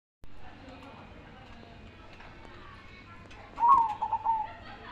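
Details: Zebra dove giving one short cooing phrase near the end, a loud, quickly pulsed, trill-like coo that rises and then falls, after several seconds of only a low steady background hum.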